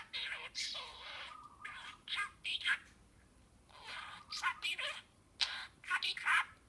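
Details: A pet talking budgerigar that has learned several words chatters in rapid, squeaky bursts of mimicked speech mixed with warbles and clicks.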